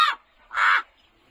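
A crow gives two harsh, hoarse syllables, a brief one and then a longer rasping one half a second later, a throaty imitation of human speech.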